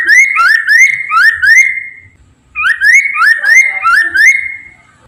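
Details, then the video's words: Chinese hwamei singing to prompt others of its species to respond: two phrases of bright, upward-sweeping whistles, four or five notes each, separated by a short gap. "PANCINGAN POKSAY MANDARIN TERBUKTI AMPUH CEPAT DIRESPON POKMAN LAIN AGAR IKUT BUNYI"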